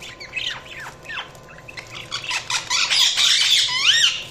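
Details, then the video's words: Budgerigars chirping: short downward-sweeping whistles and scratchy chatter build into a busy, noisy warble, ending with a clear arching whistled note. "Budgies Chirping sound"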